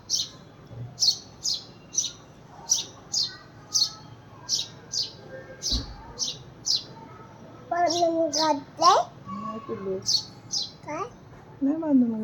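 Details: House sparrow calling for a companion that went away: a fast series of high, sharp chirps for about seven seconds, after which children's and a woman's voices take over, with a few more chirps mixed in.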